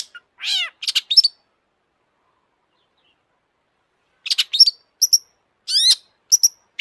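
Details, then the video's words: Long-tailed shrike song: a rasping falling buzz and quick scratchy notes, a long silence, then resumed high chips, harsh chatter and a rising whistle. "kicau burung cendet gacor FULL EMOSI"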